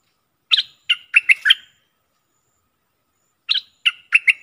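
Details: Bulbul song phrases from 24 October 2021: a tight string of five sharp, bubbly chirps, a long pause, then a matching phrase of five more.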